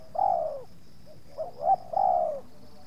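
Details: Spotted dove cooing in a yard where two wild doves approached a decoy bird, the second putting up some resistance; a short soft note, a brief double note, then two drawn-out, slightly falling coos, with a faint steady high hum behind.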